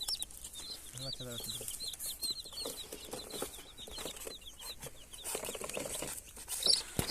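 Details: Flock of colored baby chicks crying, with a continuous stream of high, short, curved chirps and a brief low rapid rattling call early on, amid soft rustling noise.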